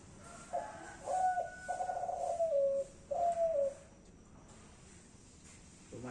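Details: Kelantan-type spotted dove giving its cooing phrase: a brief opening note, a drawn-out mellow coo easing lower, and a final descending coo, with a faint higher tone above and a brief bump of noise at the end.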